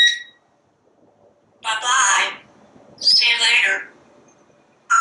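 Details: Pet parrot talking nonstop on a screened back porch while watching squirrels and birds; two loud, raspy word-like bursts with a brief high squeak at the start and a sharp note at the end, in a quiet setting.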